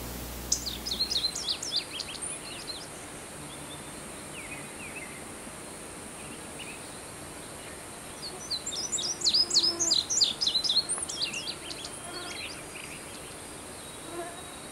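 An Indigo Bunting gives two bursts of bright, high, paired notes, quick and slightly buzzy, with a few short sharp calls between them over a faint outdoor hiss.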